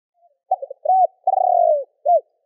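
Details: Calling spotted dove, used to provoke rival doves: brief stuttered notes, an arched mid-pitched coo, a long throaty falling coo with a purring texture, then one short arched coo to close. Clean, quiet background.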